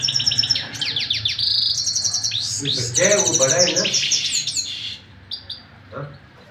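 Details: Canary singing continuously with dense high trills and rapid slurred notes, a lower warbling passage midway, then fading to a few scattered notes, with steady hum behind.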